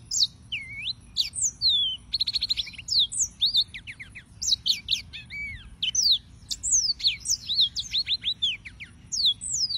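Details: Yellow-fronted canary in energetic continuous song: sweeping whistled notes, fast trilled series and varied slurs packed closely together, with a steady low rumble behind.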